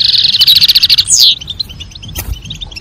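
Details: European goldfinch, female calling and male singing in a mating context; a fast buzzy trill of repeated high notes for over a second, a falling slurred whistle, then soft spaced chips.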